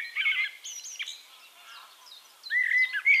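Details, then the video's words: Eurasian Blackbird from Castricum, the Netherlands: a short warbled phrase opens, followed by quieter high chirps from other birds, then clear fluty blackbird notes return near the end. "One Hour Relaxing Birdsong: Blackbird"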